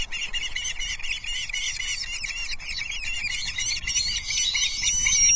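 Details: Osprey chicks quarrelling at a Loch Arkaig nest, Scottish Highlands, over a fish delivered by the male; dense, continuous, overlapping high squealing chatter with little break, and steady background rumble.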